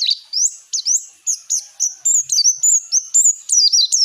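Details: Continuous Oriental white-eye song serving as a training lure for untrained young birds: a dense, lively run of high twittering whistles, some rising, some falling, packed closely together without a break for four seconds.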